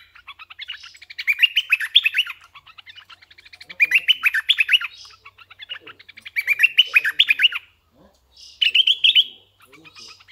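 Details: Decoy red-eyed bulbul singing four lively phrases of quick, bubbling, up-and-down notes, each about a second long and spaced roughly every two to three seconds.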